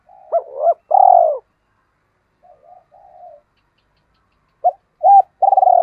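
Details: Decoy spotted dove, Hai Hau, used to draw in wild doves: two short coos lead into a long rolling burred coo, faint soft murmurs, then the pattern returns ending in another rolled note.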